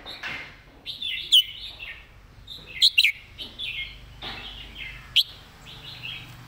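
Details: Red-whiskered bulbul master song, kept as a model to teach other birds: bright warbled phrases with sharp clicky notes near 1.3, 2.9 and 5.2 seconds, plus softer chattering from other birds in the background.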